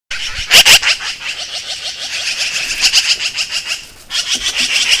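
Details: Black-billed magpies in Montana give harsh, rapid chattering calls, scolding a red fox away from a carcass they are defending.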